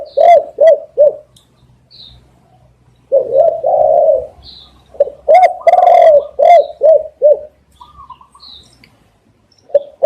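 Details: Spotted dove cooing for luring doves: repeated phrases of short, downward-hooked coos, each series including a longer, rougher drawn coo, separated by brief pauses with faint background chirps.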